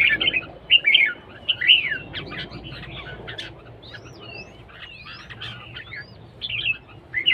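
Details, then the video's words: Competition singing by a red-whiskered bulbul: a run of loud, chirpy whistled phrases repeated about once a second, then softer upward-sliding whistles, and the bright phrases return at the end; faint background hum. "chào mào đấu siêng ché"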